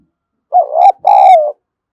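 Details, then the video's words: Spotted dove cooing to stimulate other doves: a wavering first note followed after a brief break by a longer rich note that dips slightly, loud and clear against silence. "Chim cu gáy kích bổi hiệu quả mỗi ngày"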